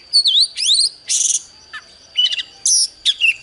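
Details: Oriental magpie-robin singing in a duel with a wild bird: bursts of high sweeping whistles, rising slurs and buzzy notes separated by short pauses, over a steady thin high tone.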